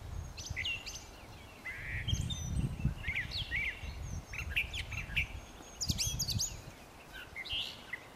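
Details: Varied Brown thrasher phrases of sharp chips, slurred whistles and brief trills follow one another with short pauses, over persistent low environmental noise.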